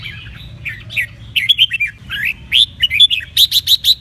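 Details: Red-whiskered bulbul in a duet for stimulating birds to sing and compete: varied warbled slurs and whistles, ending with five evenly spaced loud clipped notes; steady low background hum.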